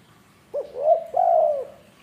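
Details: Tame spotted dove from Indonesia giving one soft, low cooing phrase: a short rising note followed by two drawn-out, gently falling coos, in a quiet indoor setting.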